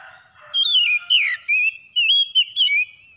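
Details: Oriental magpie-robin song after dawn, used as therapy for stressed birds: loud, clear whistled phrases, some sliding down and others warbling near level, in about five bursts separated by short pauses; quiet background.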